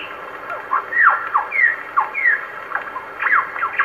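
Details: A wild superb lyrebird in Sherbrooke Forest, Victoria, Australia, sings in its natural surroundings, first in its own call, then in imitated calls: a varied, rapid run of loud whistles sweeping down or rising, with harsh squawky phrases.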